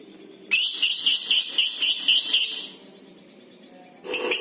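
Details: Lovebird chatter for prompting other lovebirds: a dense two-second burst of shrill, harsh, rapidly pulsed notes, silence, then another harsh burst starting.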